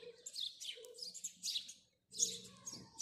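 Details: Bright, high chirps from a house sparrow on a morning, delivered in uneven rapid series, about 77 a minute, with a short pause before another burst; a faint low hum beneath.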